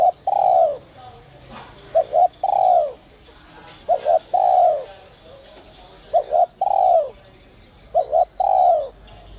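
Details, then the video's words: A 'giọng còi' (whistle-voice) coo of the spotted dove, meant to stir other doves to call. Five repeated phrases, each a short doubled note leading into a drawn-out, downward-sliding coo, spaced roughly two seconds apart. "Chim cu gáy GIỌNG CÒI te te kích bổi cực sung, giọng nhạy bổi kích cu gáy bổi nhanh gáy"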